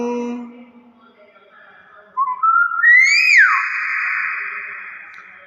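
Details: Nias hill myna: soft tones at first, then one clear whistle that climbs, peaks and drops in a quick slur, ringing on in a long echoing hum.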